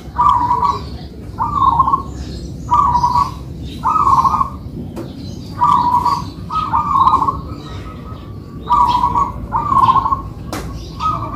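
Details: A duet between two local-type zebra doves in manggung song. Short burred, purring coo phrases follow one another about every one to two seconds, sometimes in close pairs, over low constant background noise.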